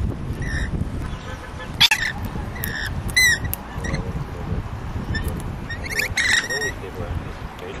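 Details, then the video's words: Lorikeets at Neutral Bay in Sydney giving harsh, buzzy screeches in short bursts, some rasping and broken into rapid pulses, over steady low traffic-like rumble. "Lorikeets in Neutral Bay Sydney"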